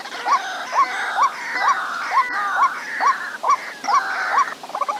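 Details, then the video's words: White-breasted waterhen repeating a steady, hooked croak roughly twice a second, each note rising then dropping, over a continuous higher buzzing chorus of insects or other birds. "Tiếng chim Quốc 2024 / Cuốc ngực trắng / White-breasted waterhen / Bird Sound"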